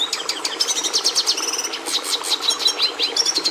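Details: Fast, dense Red siskin song: high twittering notes mixed with a buzzy, held trill and quick metallic chirps, delivered almost nonstop over a faint constant hum.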